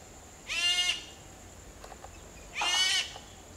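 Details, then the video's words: Sri Lanka grey hornbill (Ocyceros gingalensis), a Sri Lankan endemic, gives two harsh, rasping squeals about two seconds apart over a thin, steady, high insect whine. "Ceylon Grey Hornbill Bird Song and Calling Sound"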